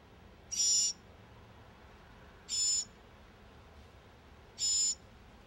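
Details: Nestling northern mockingbirds, four in the brood, respond to their mother's approach with raspy, hissing begging bursts, three in total, spaced roughly two seconds apart against a quiet background.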